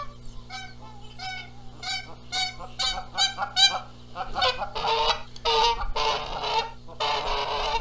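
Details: Canada geese at their nest in Charlo, Montana, April 14, 2022, quarrel over the eggs as the gander flies in making noise. Clear ringing honks come first, then harsher, hoarse, breathy blasts.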